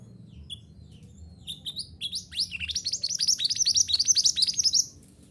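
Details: Mantenan gunung, a bushchat, in a recording meant to train caged birds to sing: sparse high chirps build into a fast, loud, rhythmic series of sharp descending whistled notes, about two per second, ending abruptly.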